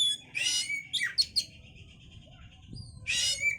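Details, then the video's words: Oriental magpie-robin singing as a lure to stimulate breeding condition: harsh buzzy bursts alternate with a sustained thin whistle and sharp slurred notes. "pancingan suara Kacer untuk mendongkrak birahi"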